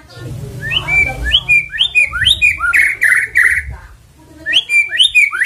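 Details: Song of a white-rumped shama played as a lure to get the bird singing, with rising, slurred whistles in quick succession and a short pause before another burst of similar notes.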